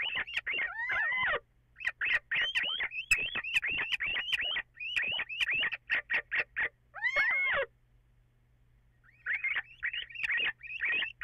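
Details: Little owl on 14 April, before dawn, possibly two birds: bursts of rapid sharp chirps interrupted by wavering whining notes, with a silent pause of about two seconds before the chirping resumes.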